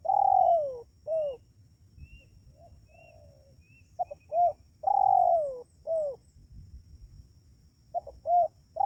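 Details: Lure recording of a spotted dove for attracting wild doves: two full phrases, each with stuttered short notes and long mellow coos dropping in pitch. Soft distant coo and faint high chirps between phrases.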